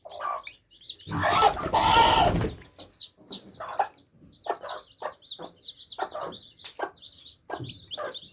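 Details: A group of baby chicks quenching their thirst. A loud burst of rustling noise at the start gives way to many high, clipped peeps that repeat rapidly and overlap.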